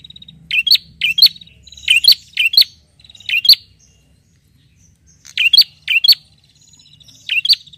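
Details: Clusters of bright, sharp doubled chirps from a bar-winged prinia calling a rival, with thin buzzy trills between and a short pause midway before the bursts resume.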